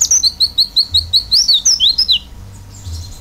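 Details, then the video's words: Oriental white-eye in full song: a quick string of high, thin chirps, about five per second, some sliding down, fading after two seconds. "pleci gacor isian buka paruh"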